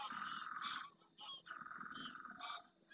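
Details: Greylag geese in a large flock arriving at a lagoon in the Doñana National Park marsh, Spain, at first morning light; two drawn-out nasal honks with strong harmonics, plus fainter calls from other geese.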